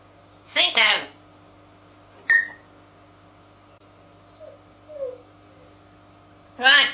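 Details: Indoor African grey parrot, born 1999, talking in imitation of human speech: clipped word-like syllables at the start and end, a sharp isolated click-like note midway, and two faint falling whistled notes in between, in a quiet room.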